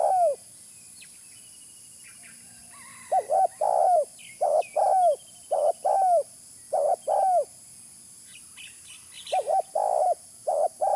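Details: Spotted dove call for luring: after a quiet start, repeated pairs of mellow arched coos roughly every second, with faint high chirps from other birds and a constant high hiss.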